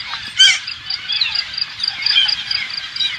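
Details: Hundreds of green parakeets, believed to be Alexandrine parakeets, invading a farm in the Thailand countryside; a dense chorus of harsh, screeching squawks overlapping continuously, with one louder shriek near the start.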